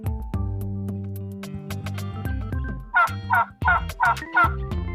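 A turkey gobbles in five quick, rattling bursts over the last two seconds, after an opening of light background music.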